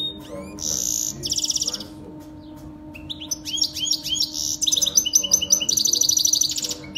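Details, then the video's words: Canary singing a Saira-style full-start song, used to train young canaries: separate bursts of high, rapid rolling trills and chirps, then a denser stretch of fast repeated notes near the end, over a steady low hum. "Saira canary full start training singing for baby Saira canaryسايره کنيري پول ستارٹ"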